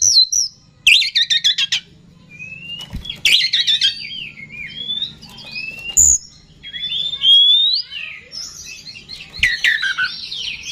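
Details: Oriental magpie-robin lure song meant to provoke rival birds: scattered thin rising whistles and bursts of scratchy chattering, somewhat quieter, over a steady low hum.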